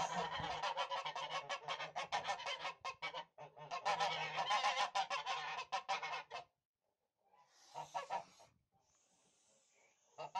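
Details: Tula fighting geese, domestic poultry of Russian origin: over six seconds of loud, rapid, grating honks from several birds, then quiet with a few fainter calls and a final honk.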